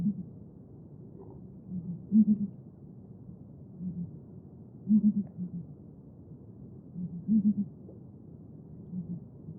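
Deep, hollow booming from a Southern ground hornbill: low grouped hoots about every two to three seconds, louder bursts alternating with softer replies, over faint background rumble.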